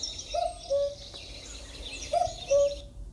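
A cuckoo gives its soft two-note 'cu-coo', the second note lower, twice about two seconds apart, over faint hiss and high background chatter.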